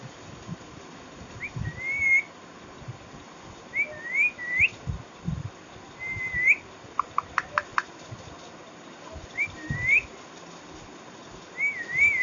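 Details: Green parrot in a talking mood, giving short rising whistled chirps, often in twos or threes, every couple of seconds, with a quick burst of sharp clicks midway over a steady low background hiss.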